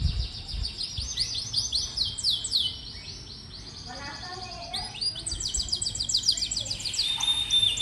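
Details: Canary song used as a tutor recording to prompt young or reluctant canaries to sing: rapid high trills and sliding whistled phrases, briefly dropping to softer lower notes mid-way before fast buzzy rolls resume, over faint background hiss.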